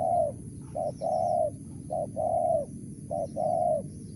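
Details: Low, hollow cooing of a wild spotted dove with a crisp 'mersik' voice: a clipped note then a sustained coo, repeated three times at a regular pace.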